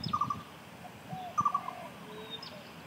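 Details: Lesser coucal (Centropus bengalensis) call, Malaysia: two short bursts of three quick, hollow, mid-pitched notes about a second apart, over a steady background hiss.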